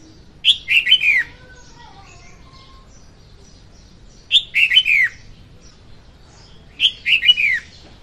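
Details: Lure song of a female red-whiskered bulbul for trapping: three bright phrases of quick whistled notes, each ending in a falling slur, with faint softer whistles between them.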